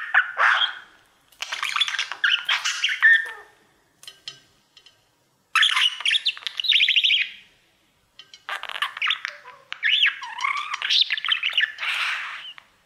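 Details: Pet male budgerigar warbling at his mirror in bursts of scratchy chirps and squeaks, separated by short silences, with the last phrase the longest and most varied.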